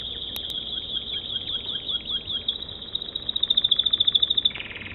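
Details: American Singer canary song: a thin high rippling trill that speeds into a louder, sharply pulsed rattle of rapid notes before breaking off.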